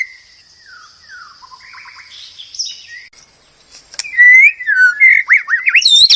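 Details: White-rumped shama masteran song: soft sliding whistles and a faint trill open, followed by loud, clear, swooping whistled phrases that leap up and down.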